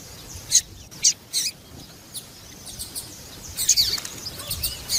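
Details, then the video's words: High clipped chirps from a female double-collared seedeater, a "piadeira" that excites males: three sharp notes early, a pause, then a quick cluster of bright high calls. "Fêmea de papa capim louca piadeira"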